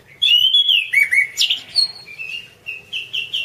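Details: Orange-banded thrush masteran song: rich descending whistles and slurred notes at first, then softer, shorter whistled notes repeated at a quick, uneven pace.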